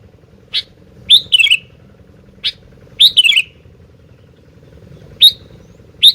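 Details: Sooty-headed bulbul in full song: two rich, gurgling phrases that tumble downward, each introduced by a sharp chirp, with scattered single chirps between, against a faint constant low hum.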